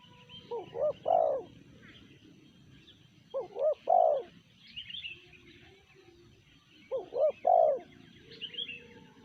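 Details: Spotted dove (tekukur) singing in the sanji voice style: three-part cooing phrases, two short rising coos then a longer falling one, repeated about every three seconds. Faint high chirps of other birds in the background.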